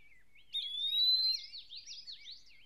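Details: An Eastern wood-pewee (Contopus virens) sings in a Maine deciduous forest: a clear, sweet, slurred whistle rising slowly over about a second, amid busy high chattering from other birds, possibly a common yellowthroat.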